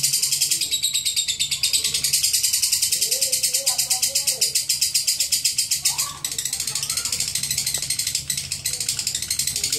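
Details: Lovebird giving its long ngekek chatter: a harsh, rapid, buzzy chattering of quickly repeated high notes running almost without break, with a few lower wavering tones in the middle.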